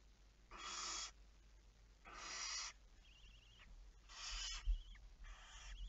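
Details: Four breathy, rasping screeches from a barn owl late on the night of 11 May 2019, about 23:34, coming every one to two seconds, with a faint wavering whistled tone between them.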